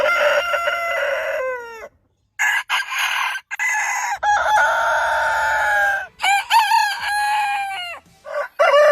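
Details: Roosters crow in overlapping turns, drawn-out harmonic calls that fall at the end, with rougher strained crows and short choppy syllables between them.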